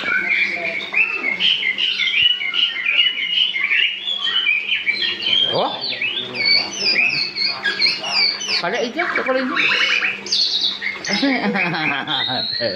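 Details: Young white-rumped shama still learning its song, delivering continuous varied whistles, trills and rapid chattering notes in a busy stream; a low hum and faint human voices sound in the background.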